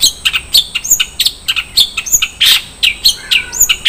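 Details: Isian mewah song of a long-tailed shrike: dense, busy string of varied high chirps, twitters and rasping notes crowding one another with barely a gap.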